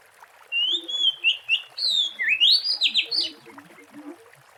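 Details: Lure recording of a wild Oriental magpie-robin giving a loud phrase of clear whistled notes and steep rising slurs, with soft low chirping in the background.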